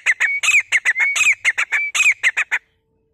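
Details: Rapid, uneven run of grey francolin notes: piercing rising whistles alternating with short, harsh, grating syllables in quick succession, then the calling stops abruptly, leaving near silence for the final half second.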